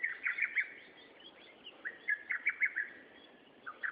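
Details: Bird singing on 13 June 2011 in three bursts of short, bright chirped notes, one at the start, one in the middle and one at the end, separated by pauses with soft background hiss.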